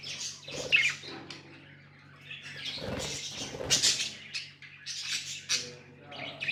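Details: Pet budgies in a room giving scattered squawks and chirps, uneven bursts with softer chatter between, some rustling or knocking and a low hum underneath.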